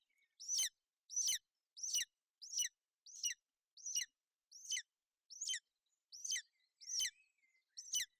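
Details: A female golden eagle (Aquila chrysaetos) brooding her chick on the nest in Bucovina in wet, cloudy weather on 28 May 2021 calls out, possibly to the male overhead, in a steady series of thin, sharp, high yelps, about one every three-quarters of a second.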